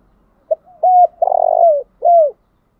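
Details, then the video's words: Spotted dove used as a decoy, giving its morning urging coo to provoke other doves: one short note, then a long even note, a pulsing throaty coo falling at the end, and a final falling note. No other sounds. "Chim cu gáy thúc gáy gọi buổi sáng/ tiếng chim cu gáy mồi gáy gọi"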